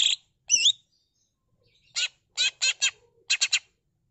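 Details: Greater green leafbird singing a repertoire of borrowed phrases: a wavering warbled whistle, then bursts of loud rasping notes in groups of two and three.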